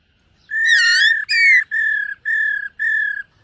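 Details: Black-throated laughingthrush singing and dancing during morning voice training: a burst of rich warbled notes, then four long steady whistles of even pitch, each lasting about half a second and separated by short gaps.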